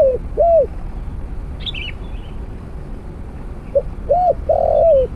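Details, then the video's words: During snare-cage trapping with a decoy, the tail of one spotted dove cooing phrase opens the recording. After a gap with another bird's chirp, a full phrase follows: short note, arched coo, then a long coo that falls away. "ต่อนกเขาใหญ่ด้วยเพนียดบ่วง เจ้าเรียกจังEp2 บินไกลมาเหยียบไม่ได้คูสักคำ"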